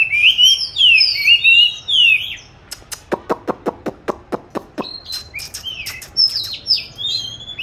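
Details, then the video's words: Caged oriental magpie-robin in song training, recorded March 2021: loud sweeping whistles, then a series of about a dozen sharp rhythmic clicks, followed by further whistled phrases. "con than chuyền nuôi 29-7-2020(clip quay 22-3-2021) treo chỗ lý tưởng luyện hót"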